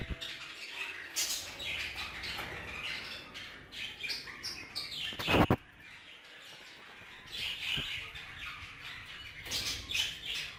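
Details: Aviary budgerigars, Hogoromo type, chirping and chattering in uneven bursts, broken by a loud clattering knock midway, followed by scattered chirps.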